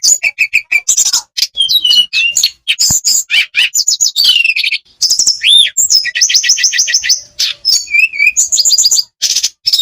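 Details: Olive-backed tailorbird singing a long, busy sequence of high chirps, repeated bright whistled notes in fast rows, rising and falling slurs and short trills, almost without pause, used as a lure recording for lazy birds.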